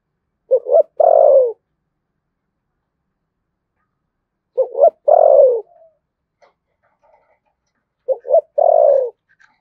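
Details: Spotted dove of Đồng Nai, Vietnam, in the thổ sấm style: three coo phrases spaced nearly four seconds apart, each opening with two short stabs and ending in a full, falling, held note, in a quiet background.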